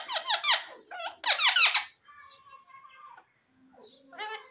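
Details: Parrot talking: rapid series of loud, scratchy, falling squeaks, then a thin, drawn-out voice-like tone and a short rising squawk.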